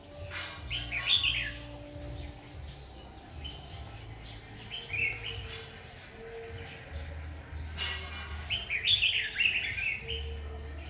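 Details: Red-whiskered bulbul during bird trapping on 7 August 2019, singing short warbled, chattering phrases in three bursts spaced several seconds apart, with a steady low hum underneath.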